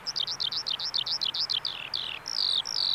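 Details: Eurasian skylark at a bulb farm in Saanich, British Columbia, pouring out rapid high twittering notes about ten per second that slow into longer descending slurs and a drawn-out whistled phrase.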